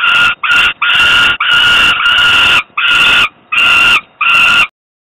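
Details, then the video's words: Begging cries of a hungry falcon chick, Włocławek, Poland, 27 May 2022 around 20:06, father bringing food; eight clipped, harsh calls of varied length in quick succession, ending abruptly in silence. "crying hungry, Dad brings food"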